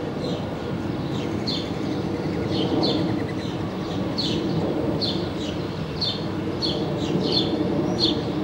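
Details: Black-capped chickadee parents bringing food to four-day-old nestlings on 19 May 2015 give thin, high, slightly buzzy notes, repeated about twice a second, over a steady low rumble of background noise.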